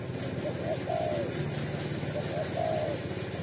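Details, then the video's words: Roadside spotted dove in Indonesia, living free and not yet trapped, giving two soft coo phrases, each a short lead note and a longer sliding coo, with heavy engine rumble throughout. "FULL KUK SATU‼️TEKUKUR JALANAN GAR4NG DAN PEMBERANI"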